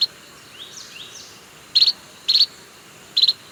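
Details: A White-rumped munia in Sri Lanka gives three short, high, buzzy trilled chirps at uneven intervals, with faint thin sweeping notes in the background.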